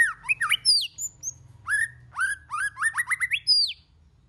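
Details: Varied song of a white-rumped shama, meant to stimulate singing: quick zigzag whistles, a high thin note, then a run of rising slurred notes ending in a sharp falling whistle.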